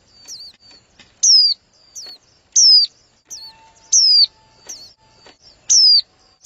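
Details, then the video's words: Calling of a female white-eye meant to stimulate the male: bright, piercing whistles falling in pitch, four strong ones about a second or more apart, with softer high chips and a faint steady hum. "CHIM VÀNH KHUYÊN MÁI KÍCH TRỐNG"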